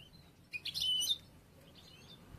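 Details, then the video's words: Young bruno amarillo European goldfinch from late this year, song still immature and in training for contests; one short bright burst of high tinkling twitter lasting about half a second, then quiet. "un poquito del jilguero nuevo bruno amarillo, aún por hacer."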